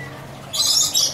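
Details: A lorikeet at Butterfly World in Coconut Creek, Florida gives a harsh, high screech lasting about half a second after a quiet start.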